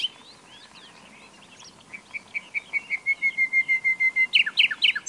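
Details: Nightingale singing: a few varied chirps, then a long crescendo of clear repeated whistled notes, about two per second, ending in louder buzzy, rattling notes.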